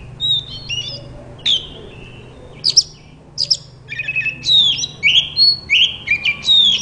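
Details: White-rumped shama singing to prompt other shamas to sing: varied whistled phrases and sharp chips, rising and falling sweeps, delivered in short bursts with brief pauses.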